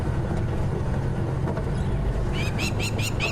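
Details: Crowned Lapwings in Sabi Sands on a morning safari drive, 20 November 2015, very upset, probably with a nest nearby and mobbing a passing leopard, give about five loud, strident, ringing notes in quick succession, over steady vehicle engine rumble.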